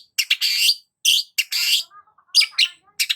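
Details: Long-tailed shrike mixing buzzy, harsh drawn-out notes with sharp chips and a few soft lower twitters, loud and busy over about three seconds.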